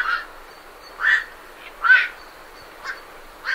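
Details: Night herons flying from their roost give widely spaced, rasping croaks, roughly one per second, backed by soft scratchy song of great reed warblers.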